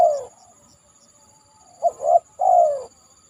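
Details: Tail of a falling coo, then one full spotted dove phrase of a brief note, a rising double coo and a long descending coo, from a bird on a banana trunk after heavy rain; faint constant high hiss.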